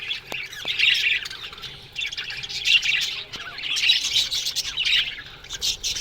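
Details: Morning chirping from a budgerigar aviary colony: rolling waves of high twittering chatter from many birds, rising and falling about every second, with a few faint clicks.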